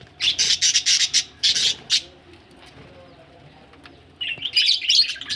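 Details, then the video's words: Budgies said to be ready for laying eggs give a quick run of about eight sharp, high chirps within two seconds, then a quiet pause, then renewed scratchy chatter at the end. "budgies ready for laying egg"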